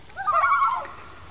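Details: Two Common Loons passing on a backyard lake in Maine, calling back and forth; one gives a brief, rapidly quavering mid-pitched call wavering under a second before fading into quiet background.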